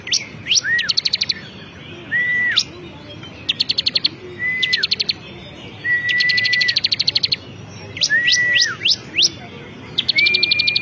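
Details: Bar-winged prinia, a champion ciblek kristal singing actively. Phrases repeat every two seconds or so: quick upswept notes and a short level whistle, followed by a dry burst of rapid high ticks.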